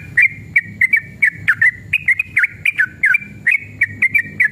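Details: Fired-up sooty-headed bulbul, singing in the fighting 'ropel panjang' style used to provoke other bulbuls into song; clear whistled notes with bending, wavering slurs delivered in a fast irregular string, crisp clicks, faint low hum beneath.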